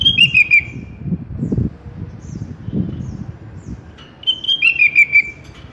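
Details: Sooty-headed bulbul, locally kutilang, recorded as tutoring song for pet birds: two cheerful phrases of liquid whistled notes, each stepping down in pitch, one at the opening and one after a pause filled with low rumbling noise.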